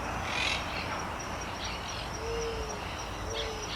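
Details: An Eared Dove in central Argentina, seen in a large flock, gives two soft, low, hooting coos, each about half a second long, over a steady high hiss with a brief chirp from another bird.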